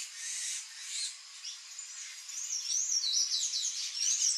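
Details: Palm tanager song: soft high twitters at first, then a louder stream of squeaky, wavering high notes with quick slurred loops building toward the end.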